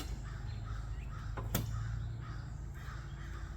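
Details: A few harsh, hoarse crow caws spaced over a couple of seconds on a wooded rural property, partly buried under a steady low hum, with a sharp click midway.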